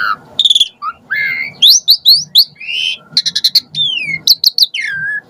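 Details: Asian pied starling (jalak suren) sounds used to lure and excite starlings; mixed whistles, upslurred notes and harsh chattering bursts, with a drawn-out descending whistle near the end.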